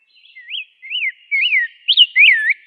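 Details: Rose-breasted grosbeak singing slow, clear whistled notes, each arching up then sliding down, about five in a row with short gaps between.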